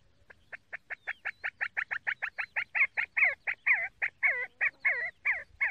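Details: See-see partridge call: a rapid series of loud, sharp notes repeated about four per second, starting as clipped whistles and growing into fuller, falling double-toned calls that strengthen toward the end.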